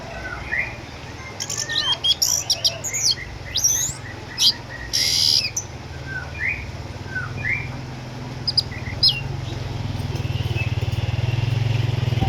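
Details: Eight-year-old orange-headed thrush, once a contest winner in Sukabumi, Indonesia, now a house bird due to cataracts, still singing actively: dense high twitters and upslurred whistles in irregular phrases, over a steady low mechanical hum that grows louder near the end.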